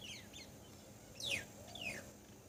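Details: Grey wagtail recorded behind a home: sharp, high, thin notes sweeping steeply downward, a few spaced calls within two and a half seconds over faint background hiss.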